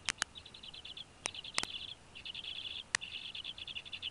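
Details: Bald eagle family at a Northeast Florida nest, where another fish is brought in for two well-fed eaglets in January 2016: rapid, high chittering note series that pause and resume, with loud sharp clicks scattered through.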